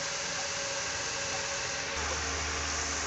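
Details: Loud continuous hiss like a blower or motor, with a deeper hum starting about two seconds in and no animal voice.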